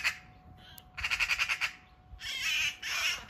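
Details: Eurasian magpie being attacked by a Eurasian sparrowhawk in a backyard at close range: a fast, dry rattle of about seven clipped pulses, followed by two drawn-out, grating squawks.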